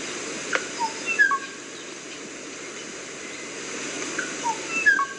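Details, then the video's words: Kauai ʻōʻō song: a few clear, pure whistled notes, some sliding downward, given in two short phrases about four seconds apart over a steady background hiss. "kauai Õ'õ bird song"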